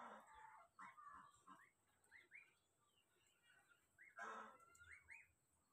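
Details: Ducklings searching for their mother utter soft, upslurred peeps in scattered groups, mixed with louder harsh bursts and faint background noise.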